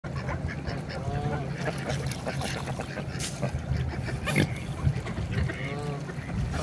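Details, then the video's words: Rare calling by a mute swan: short, hoarse, nasal calls in a few scattered bursts over a steady low rumble of wind or water, with some splashing. Mute swan. "Mute swan sounds"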